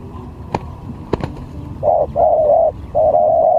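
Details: Spotted dove used as a lure bird in a skill contest: a three-part cooing phrase, two short low notes then a longer hollow coo, after some sharp clicks and background clatter.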